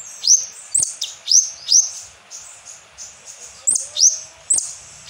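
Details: Shrill, sharply slurred whistles from an Asian glossy starling lure song with kapas tembak fill, repeated about twice a second with a short quieter pause midway.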